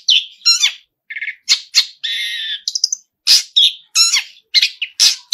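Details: Long-tailed shrike, active song full of mimicked fills: scratchy squawks alternate with low chattering notes and a sustained buzzy phrase, then several sharp, loud shrieks near the end.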